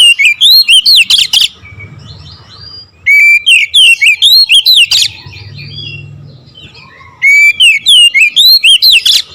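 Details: Oriental magpie-robin singing in the nembak ngerol style: loud bursts of rapid, varied whistled notes and sharp slurs, each burst lasting about a second and a half, separated by quieter pauses with low background hum.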